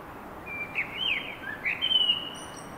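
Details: Common blackbird singing a short, mellow fluted phrase of slurred whistles, ending in a thin, high twitter, over a soft steady background hiss.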